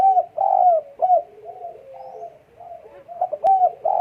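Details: Fast, husky cooing from a spotted dove in breeding condition, short rounded notes repeating about twice a second, with one sharp click partway through.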